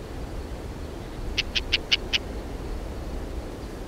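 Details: A hunting lesser grey shrike gives a quick burst of five harsh, scratchy notes, evenly spaced at about five per second, over a low rumble of wind.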